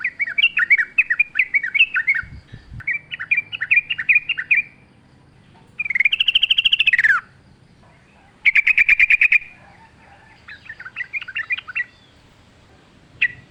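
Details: Energetic wild sooty-headed bulbul song: repeated bouncy phrases of quick whistled notes, interrupted by a buzzy falling trill and a short harsh rattle, then more chattering phrases.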